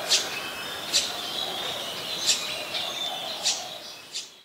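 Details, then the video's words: Oriental magpie-robin (Copsychus saularis), a very common resident at Ubon Ratchathani, Thailand, recorded on 21 January 2021, gives short, sharp high notes about once a second over a steady hiss. "นกกางเขนบ้าน (Oriental Magpie Robin)"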